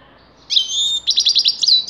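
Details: Short high phrase from a grey-crowned goldfinch: a buzzy sustained note followed by a string of quick, evenly spaced tinkling chips.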